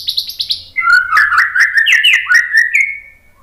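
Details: White-rumped shama song played to stir other birds into singing. It opens with quick high chipping notes, then runs into a rich, fast warble of mid-pitched whistles, with jumps and slurs, before fading out.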